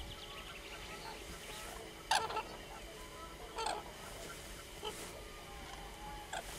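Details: Common crane giving loud, brassy honking calls: a strong harmonic burst, a second call about one and a half seconds later, then fainter calls, all against a constant background hiss.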